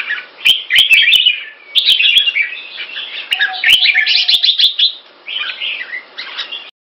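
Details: Red-faced Pama Dha (Burmese Sword) Red-whiskered bulbul, caged in Singapore, giving three bursts of clear, loud chirpy warbling over about seven seconds, with a few clicks and a faint hum.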